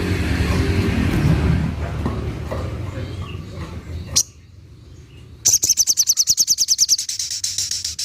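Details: Little spiderhunter (sogok ontong) giving its prized 'tembakan' burst, a fast machine-gun series of sharp, high, ticking notes, about nine a second for over two seconds, after a stretch of low rumbling background noise and a single sharp click.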